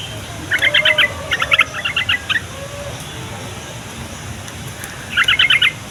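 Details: Yellow-vented bulbul chattering song meant to draw answers from young bulbuls, lazy singers and wild birds. Rapid bubbly note bursts come in several groups near the start, then one more burst after a pause, over steady background hiss.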